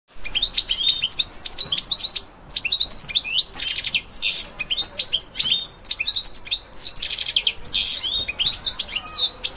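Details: European goldfinch coming into breeding condition as the breeding season nears, singing a fast, tinkling song of high twittering notes and buzzy trills in quick bursts with short pauses.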